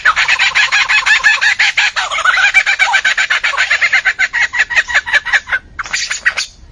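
An Albert's lyrebird pours out loud, harsh, chattering notes in a fast run, then slows into separate rasping bursts with brief pauses.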